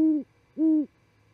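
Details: Two deep, level hoots from a great horned owl visiting a Charlo, Montana osprey nest at night, 28 December 2017, on a live camera; each note is held briefly and separated by a short pause, with faint low hum behind.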